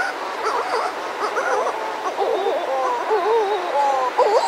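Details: Close pair of Buller's shearwaters outside their burrow with other birds nearby and surf; quavering, zigzagging whistled wails come in short bursts, ending with a looping rising note.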